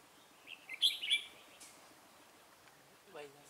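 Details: Red-whiskered bulbul song used as a lure during trapping on 17 November 2017. A loud, bright chirping warble is followed by quiet, and a short human voice is heard near the end.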